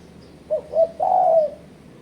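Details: A spotted dove's challenging call played as a trapping lure: two short hooting coos followed by a longer, level cooing note, low in pitch and clean.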